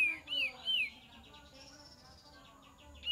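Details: Lure recording of kapas tembak: three short whistled notes, each curving up then down, followed by faint twittering and background noise.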